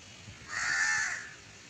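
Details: Barn owl recorded while being taught to fly: one harsh, hissing screech lasting under a second, broad and rasping, rising out of quiet background and fading away.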